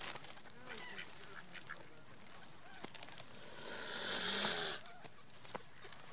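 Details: Mute swan eating bread on an autumn lake shore in Poland, recorded close up, gives a breathy hiss of about a second, a begging "feed me" hiss, amid scattered quacks and soft calls from nearby mallards.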